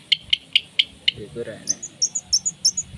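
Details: Vigorous long-tailed shrike song in 'tembakan' style with 'isian' mimicry, meant for training contest birds: five evenly spaced sharp ticks, a brief lower warble, then quick pairs of very high thin notes.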